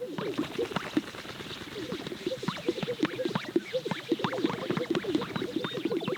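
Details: Many male greater sage-grouse displaying on a lek in Central Montana in the dark before dawn: a dense, steady chorus of low bubbling pops and soft swishing notes overlapping without pause.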